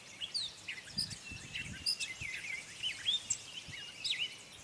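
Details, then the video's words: A Gray Catbird singing at Morgans Point on May 22, 2020: a rambling, jumbled run of varied squeaky chirps, slurred whistles and short scratchy notes, delivered without pause over a steady outdoor hiss. "Gray Catbird Song"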